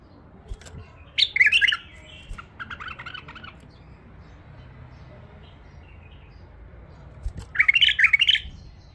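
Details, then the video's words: Tame female bulbul sings a quick chirping phrase, then a rapid stuttering series of short notes, then silence before another bright warbled burst near the end; low background hum throughout. "نثيه اليفه تغريد رهيب"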